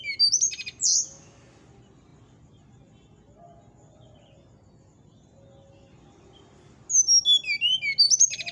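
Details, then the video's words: Brown-chested jungle flycatcher with nyuling song: sharp high whistled notes open the recording, then a long gap of steady low background hum, and a descending run of clear whistles returns near the end. "SATU SATU NYA SRDC NYULING BIKIN EMOSI SRDC TETANGGA,SIKATAN RIMBA DADA COKLAT"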